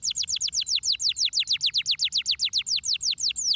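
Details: Canary singing as a stimulation track for other canaries: a steady rapid tour of high, sharply downslurred whistled notes, about five per second, clear and loud throughout.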